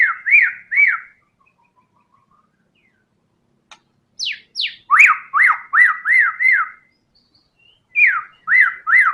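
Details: Energetic white-rumped shama in tembakan style: clear looping whistles in short strings, then two sharp high downward sweeps, followed by a fast run of rising-falling whistled notes repeated several times.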